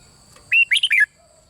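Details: Red-whiskered bulbul of the bulbul (เบิ้ล) style, played to stimulate other birds to sing: a single short whistled phrase of about five quick notes, the first sustained and the rest rapid, bright and falling at the end, over a faint steady hum.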